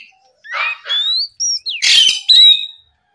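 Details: A short Oriental magpie-robin phrase from a morning recording meant to provoke rivals: two rising whistles and a high clear note, then a grating buzzy burst and a final bright upward slur.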